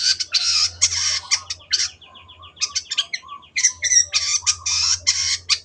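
Long-tailed shrike giving a loud, harsh song of scratchy bursts mixed with quick chattering and repeated sharp notes, with a faint low hum underneath.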